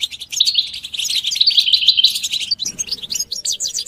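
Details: Caged European goldfinches chirping, calls meant to stimulate males to sing: rapid rolling trill of liquid notes, then scattered twitters over a faint low hum.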